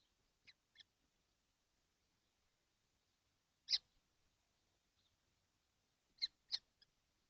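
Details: Seven kestrels together in a nesting box on a hot day in June 2025, making short, high, scratchy calls singly and in pairs, separated by long quiet gaps.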